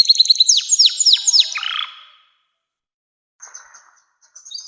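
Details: Canary song used to train young canaries. Quick repeated chirps and steep downslurred notes end in a short buzz. After a silence, faint scratchy notes and soft high chirps follow.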